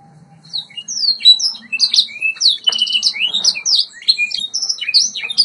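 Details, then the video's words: Singing white Yorkshire canary recorded for training, a faint low hum under a steady stream of clear whistled slurs, rising and falling notes and short rattling trills. "White Yorkshire Canary Singing TRAINING CD vol. 2"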